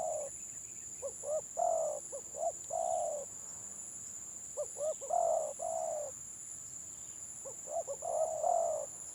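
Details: Village spotted dove of the gelang patah type singing in the stuttering 'gagap' style: three cooing phrases, each of quick short hiccuping notes leading into long, steady, mellow coos, with a constant thin high electronic whine behind.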